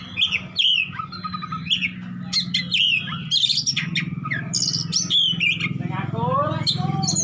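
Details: Oriental magpie-robin delivering besetan song full of luxurious mimicked fill: chirped whistles, repeated downslurs, buzzy harsh bursts and warbling notes over a persistent low hum.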